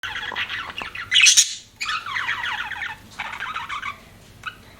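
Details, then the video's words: Pet budgerigars chirping indoors: dense bursts of buzzy, scratchy warbling chatter with a loud harsh squawk near the second, broken by short pauses, then quieter scattered notes. "BUDGIES CHIRPING SOUND"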